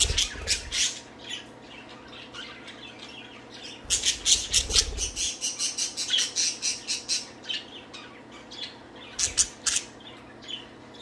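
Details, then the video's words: Budgies at play, one flirting with another while a third moves its wings out of jealousy: dense scratchy warbling and rapid chirp runs, with low thuds from the wing movement and brief quieter gaps. "Budgies playing and singing."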